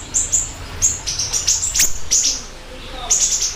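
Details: Siri-siri bird, recorded singing actively as lure and tutor material: a few very high, short chirps with downward flicks, one sharp rising note, then a pause before a final quick chirp trio.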